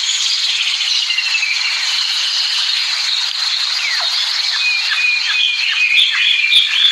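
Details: American singer canary pouring out a continuous dense trill with sweet slurred whistles woven through it, rising and dipping in pitch, loud and close throughout.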